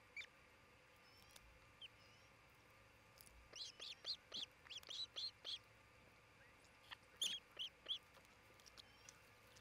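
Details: Osprey calling at its nest in Charlo, Montana, where a pair is building a new nest, filmed by a camera on 27 June 2018; long bursts of rapid shrill whistled chirps, about eight in a row, pause, then five more.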